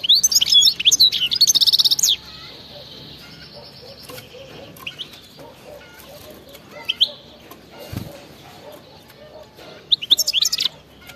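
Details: Wild-type song of a European goldfinch, batbata style, used to start non-singing goldfinches: two seconds of rapid twitters and a buzzy trill, scattered soft chirps through a quiet middle, then a sharp twittering burst near the end.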